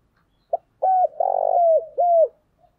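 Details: Decoy spotted dove calling to lure others: one clean phrase of a short note, a drawn-out cooing syllable, a buzzy rolling middle and a falling final coo, in a quiet setting.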